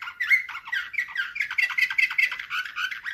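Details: A canary delivers Slavujar-style song, 2024, as a continuous, rapid, dense warbling trill of quick buzzy notes.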